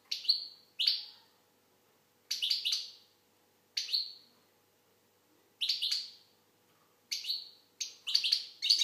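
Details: Algerian goldfinch, known locally as maqnin, singing: short bright twittering bursts with buzzy downward-trailing notes, delivered in separate phrases about every one to two seconds with quiet gaps between.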